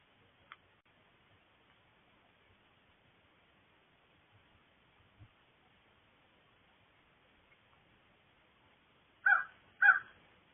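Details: A crow gives two harsh, grating caws in quick succession near the end, after a long quiet stretch with a few faint clicks and taps; the owner wonders whether it is making a knocking sound.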